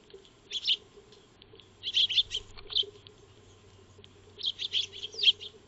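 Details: Eurasian tree sparrows, locally called Maya birds, calling while feeding in a backyard, captured by a solar-powered trail camera on 2 March 2025: short bursts of bright chirps in three clusters separated by quieter pauses.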